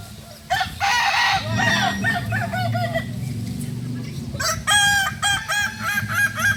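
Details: Kokok Balenggek roosters, a breed native to Solok, West Sumatra, at a crowing practice session: long multi-note crows with stepped, wavering pitch overlapping from several birds, a steady low hum beneath throughout.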